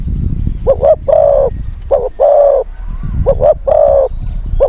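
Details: Spotted dove used as a decoy to lure wild birds, a wild bird with a small, high, fierce voice: two short clipped coos then a longer held coo, the phrase repeated twice, over a low rumbling background.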